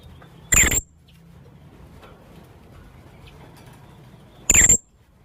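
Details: A young blue-crowned hanging parrot gives two brief, shrill, high-pitched squeaks about four seconds apart, used as a lure call, with low hiss between them.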